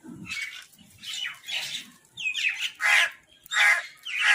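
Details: Crows fight for food, their grating squawks growing louder over a few seconds, about three harsh bursts in the closing second and a half, with faint low scuffling near the start.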